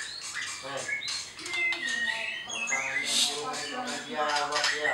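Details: A white-rumped shama at a bird farm in Anyer, Banten sings a dense, fast run of clear whistles and harsh chattering notes with no pauses. A murmur of voices or other birds sounds underneath.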